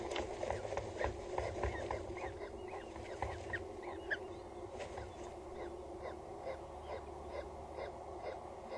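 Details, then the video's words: Peregrine falcon nest site on Axel Tower, Netherlands, 14 April 2019, 19:07, with a chick possibly hatched; a rapid jumble of short downslurred squeaky calls, dense at first then thinning out, over a low steady drone. "Is there already a chick?. We hear him"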